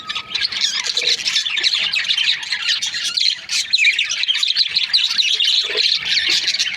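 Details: Australian parrots, budgerigars in breeding pairs, keep up a loud, crowded twittering, rapid chirps and squawks overlapping, with a short lull just past the middle.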